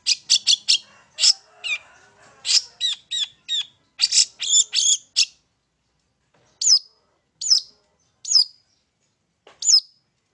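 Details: Long-tailed shrike song from a bird staying on one perch, used to provoke singing: rapid sharp high notes in tight clusters, then single piercing chips spaced about a second apart.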